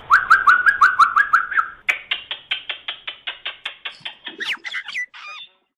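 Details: Common myna in the morning sings a fast run of rising whistled notes, then a steady series of harsh clicking chacks, ending in a few squeaky twisting whistles.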